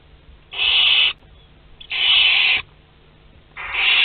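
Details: Barn owl nest box at Théding, 22 August 2021, second brood, as chicks two to six of ten hatch. Three loud breathy hissing screeches, each under a second, separated by short quiet gaps.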